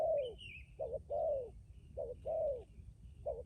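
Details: Decoy spotted dove cooing: a falling drawn coo, then short doubled notes and a longer slurred coo, evenly paced, with a thin higher chirp behind.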